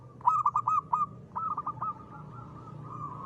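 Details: Zebra dove (perkutut lokal) in eager 'ngristal' song for luring: a quick series of five loud clipped coos, then softer notes trailing into a sustained tone.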